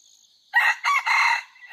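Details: Red junglefowl of the F2 generation, recorded 5/9/2020 during training, crows loudly in three hoarse, harmonic-rich segments lasting about a second, starting after a brief pause, over a steady high-pitched insect drone.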